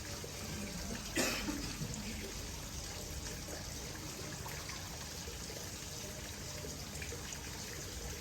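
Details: Trickling, splashing water runs throughout, with a brief knock near the start and faint background voices, but no animal calls.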